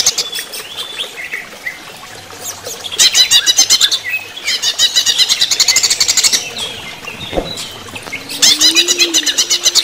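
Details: Greater green leafbird singing during running-water therapy: high, rapid runs of sharp repeated chirps in loud bursts around three, five to seven and after eight seconds, with softer scattered chirps and clicks between.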